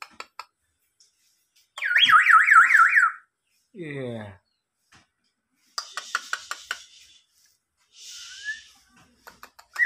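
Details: Local black-naped oriole, completely tame, imitating a police car siren. A rapid zigzag whistle warbles up and down like a siren for about a second, followed by a low buzzy note, soft clicks and a short human call.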